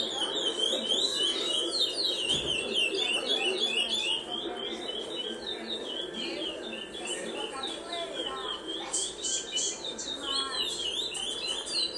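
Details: Captive young curió, still brown-plumaged, from a breeder's stock and described as somewhat shy. It sings a busy, continuous series of rapid repeated chirps and trills, with room noise and a low murmur of voices underneath.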